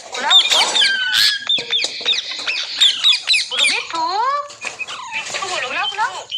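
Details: A pet green parrot, urged to talk, gives a rapid, varied run of harsh squawks and bent, sliding chatter notes, some high and shrill, others lower and throaty.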